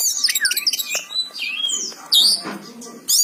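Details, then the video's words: Oriental magpie-robin in energetic gacor song, with loud, buzzy, sweeping whistles and rising and falling slurred notes broken by brief pauses, then a harsh burst and a closing high phrase. "Suara burung kacer gacor"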